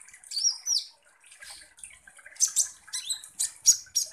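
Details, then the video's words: Lure recording of a kolibri ninja sunbird in full song: a long high whistled slur at first, then dense clusters of shrill chips and squeaky notes that grow louder toward the end. "PANCINGAN kolibri ninja GACOR"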